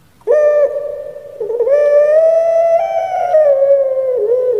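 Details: Cage-kept puter pelung Barbary dove from Indonesia, 'menangis' style: a short clear coo, a brief gap, then a long, loud, sustained note rich in overtones that rises slightly and dips at the end.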